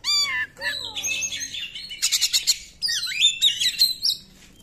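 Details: Oriental magpie-robin in loud, full song, played to stir silent magpie-robins to sing; opens with a harsh falling note, then rapid rattling bursts and varied whistled, swooping phrases in quick, energetic sequence.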